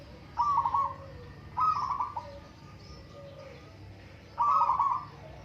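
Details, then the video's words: Local zebra dove in a singing contest: three rolling, quavering coo phrases, with a softer lower note after some of them, and quiet gaps between them over faint background hum. "Burung perkutut lokal adu suara"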